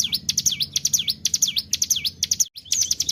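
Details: Ciblek gunung, or hill prinia, in gacor lure song: quick series of high swooping V-shaped chirps, roughly two per second, broken by one brief silence.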